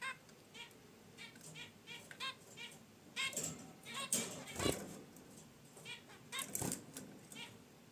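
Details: Pet zebra finches in a cage near a wicker basket nest give quick nasal honks in short bursts, mixed with rustling and flapping noises in the second half.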